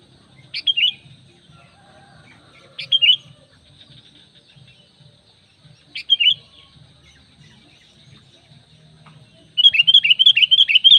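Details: Sooty-headed bulbul lure call, used to draw other bulbuls and wild birds in forest: bright, sharp chirped phrases spaced a few seconds apart, ending in a fast burst of rapid chirps, over a faint low hum.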